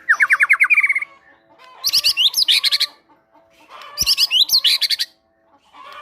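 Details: White-rumped shama in a cage, singing a prompting song stuffed with Java sparrow mimicry: a run of evenly spaced rising chirps, then two dense bursts of sharp high twittering notes with pauses between.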